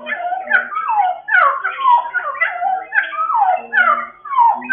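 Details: Cucak timur, an Indonesian endemic bird, singing in the continuous ngeropel style: a fluent, melodic warble of sliding, slurred phrases rising and falling, repeated about every second without pause. A steady low hum runs beneath it.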